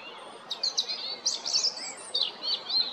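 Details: European robin at Jarun, Zagreb, Croatia, recorded 13 April 2022: a fast string of high, tinkling and twittering notes with quick pitch slides, delivered in short clustered phrases.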